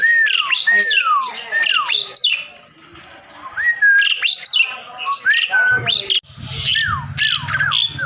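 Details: Asian pied starling song used as training audio to prompt a quiet bird to answer and sing: loud clear whistles sliding downward, repeated in quick phrases, mixed with harsher squawky notes and a low hum near the end.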